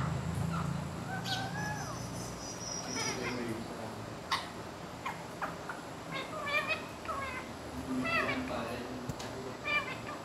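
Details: Talking rose-ringed parakeet kept as a pet, repeating "mian mitthu" in Urdu and Hindi. A drawn-out, wavering phrase is followed by many brief, chattering syllables and sharp clicks, set against a soft low hum.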